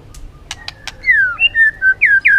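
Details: White-rumped shama singing varied forest-style notes: a few sharp clicks, then a series of clear whistles sliding down and up, each slur short and loud.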